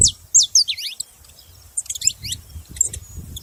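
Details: Saffron finch making noise: a few loud, sharp, down-slurred chirps at the start, then quieter scattered high notes over a steady low rumble.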